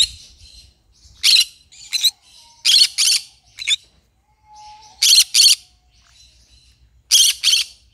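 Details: Green-cheeked conure singing in loud bursts: pairs of harsh, buzzy squawks repeated every couple of seconds, with softer high chatter and a faint thin whistle between them.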